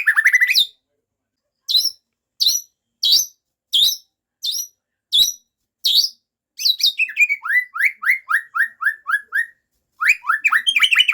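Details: White-rumped shama delivering a full repertoire of learned song phrases: sharp, loud high notes repeated about every half second, then a fast run of descending whistled slurs and a final burst of rapid chatter.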